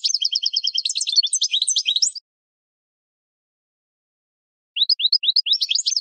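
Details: European goldfinch singing a training song meant for captive birds: dense high twitter of repeated chirps for two seconds, a long quiet gap, then rising upslurred notes leading into rapid trilling.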